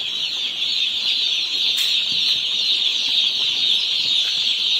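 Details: Crowd of 1-day-old chickens at a poultry farm, peeping nonstop: a thick wash of piercing high chirps at an even level, with one brief sharper squeak standing out near the middle.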